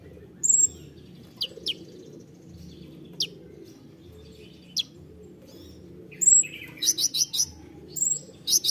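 Songbird giving scattered sharp high chips and a thin whistled note, then a quick run of buzzy bursts near the end; faint low background hum.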